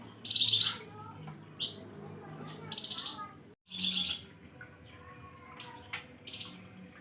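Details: Flamboyan bird singing sharp 'nembak pedes' chirps as a lure: repeated loud, rasping high bursts every second or two, with short fainter notes in between and a brief gap midway.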